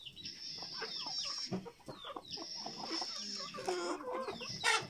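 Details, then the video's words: Chickens being fed cluck and squawk in short, busy bursts, with a steady high hiss running underneath. "dando de comer a mis gallinas"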